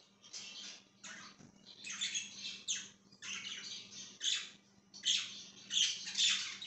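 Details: A budgie gives a run of rapid chirps and harsh squawky notes in bright, noisy bursts of about half a second each, separated by short gaps, over a faint steady hum.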